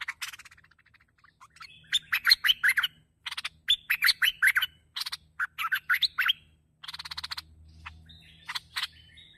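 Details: Bulbul (merbah) in a recording for luring bulbuls: bursts of harsh, rapid chirping notes in clusters, pausing briefly between groups, with a faint low hum underneath and a short rising whistle near the end.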